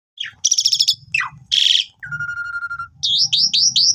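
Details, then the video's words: Asian pied starling (Jalak Suren) in full 'gacor mompa' song, used as a master lure for new starlings: a varied medley of whistles, harsh rasping bursts, a long level whistle and repeated rising chirps over a low hum. "Jalak Suren Gacor Mompa"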